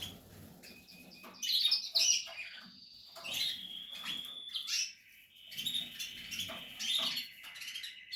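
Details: Portuguese harlequin canary at nest building time, singing high warbles and sustained trilled notes between scattered rustles and clicks from the cage.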